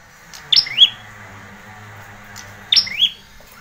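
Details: Training lure of Ashy prinia song for young birds: a pair of identical phrases, bright high chirps sliding into a buzzy descending then rising trill, separated by roughly two seconds of near silence with a low steady hum.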